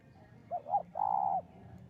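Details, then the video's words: Spotted dove lure call used for trapping: two short rising-falling coos, then one longer, steady mellow coo, soft and low-pitched. "pancingan burung tekukur"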